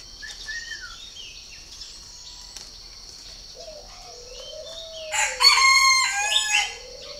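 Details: Purebred Chinese francolin giving a loud, harsh, ringing series of rasping notes in the second half, after soft whistles and a lower drawn-out crowing note, with a steady high hum throughout.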